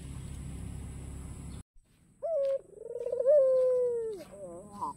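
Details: White ringneck dove with a black collar cooing to draw rivals out: after a stretch of steady background noise that cuts out, a short hoot and one long, wavering, falling coo, followed by quick rising notes.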